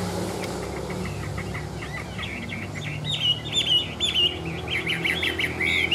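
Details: Chinese hwamei, tame and in display, singing softer warbled phrases that strengthen after three seconds into clearer wavering whistles, partly masked by a continuous low hum and background noise.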